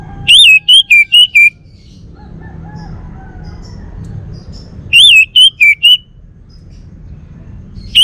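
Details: A male orange-headed thrush, Bali form, kept indoors delivers phrases of four or five loud, rolling, slurred whistles, repeated about every four to five seconds, separated by near silence and low hum.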